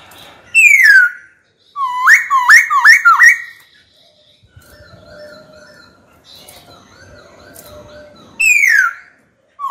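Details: Caged white-cheeked laughingthrush singing to challenge a rival: a descending whistle, then a fast burst of rising, hooked notes, soft distant chatter, and a final loud downward slur.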